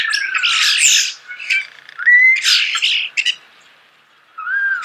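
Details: Starling singing at close range, natural sound: varied bursts of harsh, noisy squawks and chatter mixed with short clear whistled slides, with a quiet gap before a final rising-and-falling whistle.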